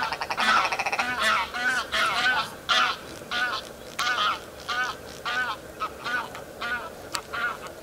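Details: Willow ptarmigan in spring on Andøya in Vesterålen, surprised early in the morning, giving a rapid run of nasal, laughing, cackling notes in bursts, like "hähähähä" and "gack", repeated over several seconds.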